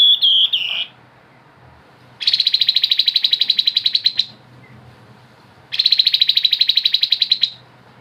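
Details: Grey-headed babbler in vigorous ngebren nyiul song: a brief high whistled note sliding downward, then two fast, high trills of even pulses, each about two seconds long, separated by a short pause. Background is quiet.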